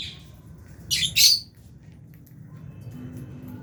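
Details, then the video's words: Aviary lovebirds, Albino and Fisher's, eating food; a loud, harsh, high double squawk stands out after a softer opening note, then quiet with a low background hum. "Lovebirds Chirping Sounds"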